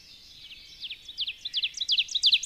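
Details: Subalpine warbler (Sylvia cantillans) song that starts faintly and grows louder into quick, high, dry chirping notes. A soft background hiss is present throughout.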